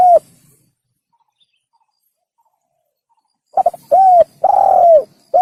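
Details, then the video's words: Spotted dove call used as a hunting lure: a brief clipped coo at the start, a long quiet gap, then a stuttered double note, a mid-pitched coo and a drawn-out falling coo, with a final note cut off. "Pikat Burung Tekukur / Suara Burung Tekukur | The Sound of The Turtledove"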